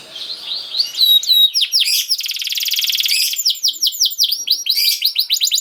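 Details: Canary song for early training of young canaries: slurred whistles building into a buzzy rolling trill, then quick repeated downswept notes.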